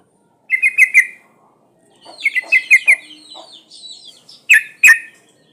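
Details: Female sooty-headed bulbul in breeding condition calling to males, used as a lure for wild birds: short bubbly chattering phrases near the middle of the range, a burst at the start, a longer run, then two sharp notes.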